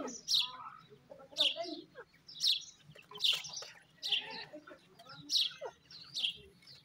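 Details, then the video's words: Calls of grey francolin chicks: piercing high peeps, each with a short downward slur, repeat about once a second in a fairly even rhythm, with faint lower chirps between them and a low background hum. "grey francolin chicks ki voice,dakhni teetar chicks ki boli"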